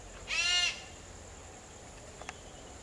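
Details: Sri Lanka grey hornbill in Sri Lanka giving one loud, harsh squawk rich in harmonics, under half a second long, followed by two faint clicks over a steady high-pitched hiss.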